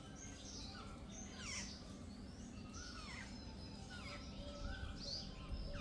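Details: A group of jungle babblers gives harsh, squeaky, downslurred calls in loose bursts, several birds chattering over one another, with a steady low rumble and a faint voice behind.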